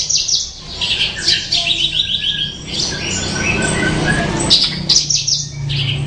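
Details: Bushlark, known locally as branjangan, singing a rapid busy song of high chirps, trills and slurred whistled phrases, with a steady low hum underneath.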